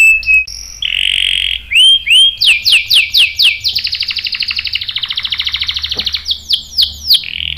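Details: Canary singing, played to provoke males to sing: a varied sequence of a steady buzzy note, rising whistles and repeated downward sweeps, then a rapid rattling roll and more swooping notes, high and clear.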